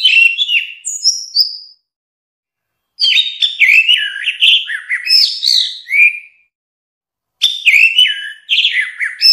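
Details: Orange-headed thrush singing in long bursts of varied whistles, chirps and slurred notes, mimic-like and rambling, separated by short pauses.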